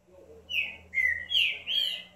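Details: Green-winged saltator singing a phrase of four loud, rich whistled notes, each slurred and slightly downward, spaced about every third of a second, with a low steady hum beneath.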